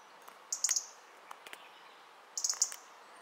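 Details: European robin at home in Ljubljana on 20 October 2023, giving two short bursts of thin, very high-pitched notes about two seconds apart, with a few faint sharp ticks between them.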